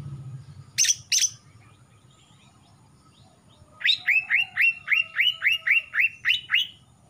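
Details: Two sharp harsh notes from a young male Kalimantan greater green leafbird, newly moulted from spotted juvenile plumage with a blackening throat, followed by a quick steady series of down-curving whistled notes over a low background hum.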